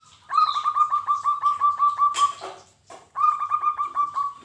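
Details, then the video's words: A local zebra dove (perkutut) sings a quick run of short, mellow cooing notes, about six a second, interrupted by a brief rustling noise before the run starts again. "Masteran wajib untuk burung perkutut lokal bahan Supaya gayeerr"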